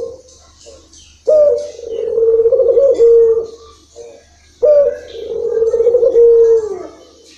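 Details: Local puter dove delivering long-rhythm coos: two extended, vibrating low phrases about two seconds each, each finishing on a steady pure note, with soft short notes before each phrase.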